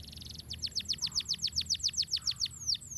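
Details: Canary singing rolling master song for bird training: a brief buzzy trill, then an even, rhythmic roll of bright downslurred notes at roughly six per second, ending in a long falling whistle.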